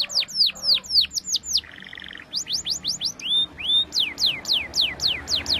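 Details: Canary singing a powerful walnut-style song meant for training young canaries; rapid repeated downslurred whistles about four per second, a short buzzy rattle, then rising and falling whistled notes, with faint low background hum.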